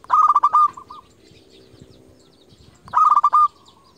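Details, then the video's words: Loud rapid-pulsed cooing phrases from a local zebra dove used as a lure to call rivals, two phrases nearly three seconds apart with a quiet gap between. "Perkutut lokal gacor JUARA Pikat terbaik paling jago memanggil lawan"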